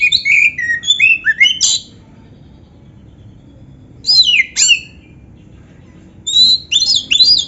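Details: Kacer, Oriental magpie-robin, in lively gacor song with imitated canary phrases: three bursts of varied whistles, chirps and sharp downward slurs, each about two seconds long and separated by silent gaps.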